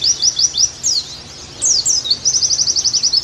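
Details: Caged Oriental white-eye (pleci) singing, a recording meant as therapy and song tutoring for kept birds: quick high chirps and downslurred whistles, a brief twittering burst, then a rapid trill of about a dozen evenly spaced notes.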